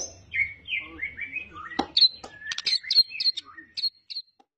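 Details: Medan white-rumped shama, a champion competition bird mimicking other species: descending whistled slurs followed by a click and a series of short high chirps spaced about once a second, fading out.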